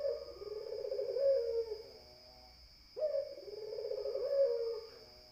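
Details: Spotted dove (puter, 'pelung' style) giving two long, low, rolling coos, each about two seconds with a brief rising start and a trailing, wavering finish, separated by a short pause; a steady high electronic whine runs throughout.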